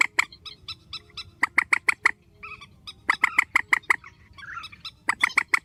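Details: Grey-headed swamphen, strong calling in an edited recording: steady series of loud, clipped nasal notes in groups of four to six, a brief rough murmur between groups.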